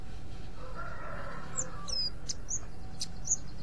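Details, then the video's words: A white-eye (pleci) giving 'ngriwik' calls said to lure other white-eyes: a run of thin, high chirps and short twittering notes, two or three per second, over low rumble and a faint rooster-like crow. "pleci ngriwik ampuh memancing pleci lain"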